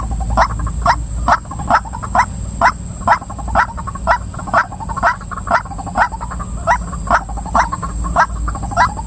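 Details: Female white-breasted waterhen giving a long, monotonous series of about twenty clipped, mid-pitched croaks, evenly spaced at roughly two per second, with a continuous low rumble and a faint high-pitched hum behind.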